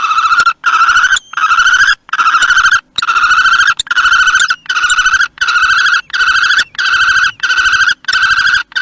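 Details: Common kestrels at their nest in Théding on 4 June 2021, during prey delivery at feeding time: a long series of harsh, drawn-out, strongly harmonic calls, each lasting under a second, repeated in a steady run with brief gaps.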